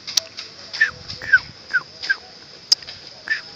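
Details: Yellow-vented bulbul at its nest, found during a nest search and calling actively: short, slurred chirps, roughly two per second, some dipping then rising, over a steady high insect drone with a few sharp clicks.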